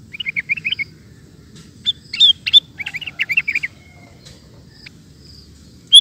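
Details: Sooty-headed bulbul in lively 'ropel' song: a fast string of short chirps, then sharper squeaky notes and a further quick series, followed by a few scattered high chips over a faint low hum.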